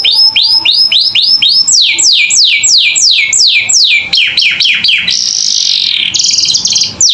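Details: Energetic canary song used as learning material for young caged birds: looping rising whistles, then steep downward slurs, faster clipped notes, and a bright buzzy trill closing the phrase.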